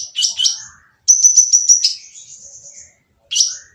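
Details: Harsh sunbird song used to make quiet birds sing: two sharp chips, a fast, even, high trill fading into a thin whistle, then another abrupt chip.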